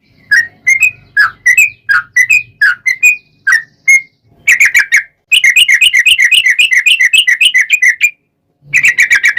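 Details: Yellow-vented bulbul with a long 'ropel' song used as a lure for singing: liquid slurred whistles that quicken into a long, even, rapid chattering trill, then resume after a short gap.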